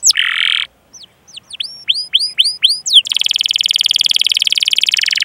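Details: Canary song of long-running chirps and rolls, played as a lure for juvenile, beginner or silenced canaries. A short buzzy note, a pause, a few looping up-curved whistles, then a dense rapid rolling trill to the end.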